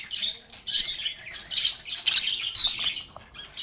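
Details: Lovebirds singing, playing and talking together: dense, overlapping high chirps and twitters in short bursts, with brief quiet gaps between flurries.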